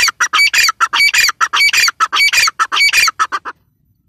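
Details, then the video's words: Female grey francolin delivering a sustained run of loud, harsh, rapidly repeated calls for about three and a half seconds, then falling silent. "female teetar ki awaz"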